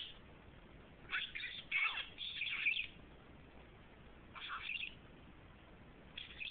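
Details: Remy, a male pet budgerigar, chatters in quick, scratchy, high-pitched bursts, speaking phrases like "What are you doing", "You're so cute", "Baby Budgie Boy" and "Leno Sucks".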